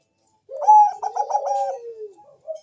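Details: Zebra dove of the Bangkok type, used as a lure so other doves answer: a low fluting coo, then a stuttered series of warbling notes sliding downward into a drawn-out fading tone, with a short soft note after.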